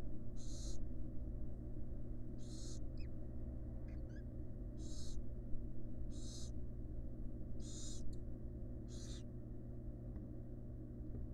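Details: Wild barn owl resting beside her chicks in a monitored nest box; six breathy, noisy hisses about a second long, spaced irregularly over a steady low hum.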